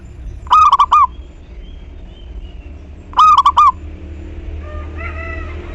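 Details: Active local zebra dove song intended to provoke other doves to sing in reply: two quick phrases of stuttered cooing notes about 2.7 seconds apart, then softer higher calls from another bird near the end over low hum.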